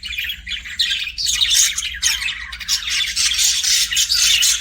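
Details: Pet budgerigars chirping in dense, nonstop high warbling chatter, with scratchy squawks and rapid twittering notes layered over one another, bursts swelling and fading every second or so.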